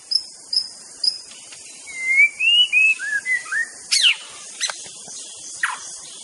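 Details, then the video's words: White-rumped shama in full song: three thin high whistled notes, then a phrase of clear slurred whistles rising and falling, followed by sharp clicking notes over a steady hiss. "SUARA BURUNG MURAI BATU GACOR COR"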